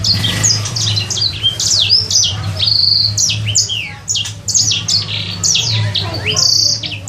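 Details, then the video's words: Captive sanger bird, raised for three months and practising its song, pours out fast high whistles, each note sweeping down steeply, mixed with a few flat buzzy notes, over a constant low indoor hum. "Burung sanger..belajar bunyi..."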